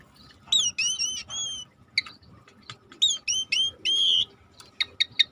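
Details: Rare starling singing over a river-sound background: sharp high whistled notes with bright overtones in quick clusters, separated by brief quiet gaps, and a soft steady rush underneath.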